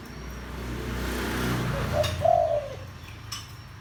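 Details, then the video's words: Deep-voiced spotted dove cooing to rouse decoy birds: a low droning hum at first, then a two-part coo around two seconds, a short note and a longer, level, slightly falling one. "tiếng chim cu gáy kích bổi mau lên"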